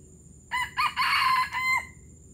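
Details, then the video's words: Junglefowl of Palembang crows a four-part phrase: short stuttering notes, a loud coarse central burst and a flat final tone ending suddenly, with faint low hum behind. "Ayam hutan palembang gerabas gerabas"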